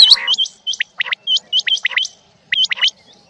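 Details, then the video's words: Male and female quail calling in rain: short rising whistles, each followed by a dipping lower note, repeated in close pairs with brief gaps. "Rain Male Female Quail Beautiful Sounds"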